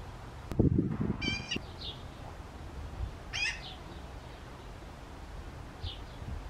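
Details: Magpie chicks calling while preening and looking around; a short harsh, rasping nasal call stacked with bands, heard twice and then a faint third, set over low rustling and handling noise.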